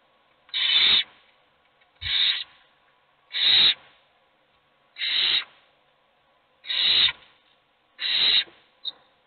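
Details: Hungry owlets beg for food, only one getting it. Six coarse, hissing calls recur every second or so, ending with a brief squeaky note.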